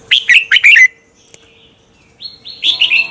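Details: Red-whiskered bulbul giving morning contest song, used as a lure to train other bulbuls to sing: a quick bubbly phrase of four warbled notes, a pause, then a higher clear whistled phrase with a buzzy warbled ending.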